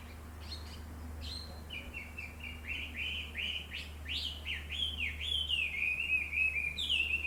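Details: Dawn birdsong from a large black locust tree next to a town home. Stuttering high notes open into a long chain of buzzy, upswept chirps that swell toward the end over a faint low hum.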